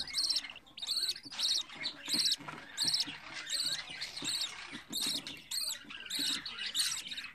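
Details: Budgerigar chick fourteen days old, home-raised, giving high raspy begging calls in a rhythmic series, roughly one every half second, with soft low rustling beneath.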